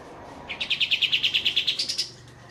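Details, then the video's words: Single clear roll from a kapas tembak bulbul singing in a group: about fifteen quick, evenly spaced bright notes over roughly a second and a half, rising slightly at the end, with soft water behind. "Burung Kapas Tembak Ombyokan Sudah Gacor Ngeroll"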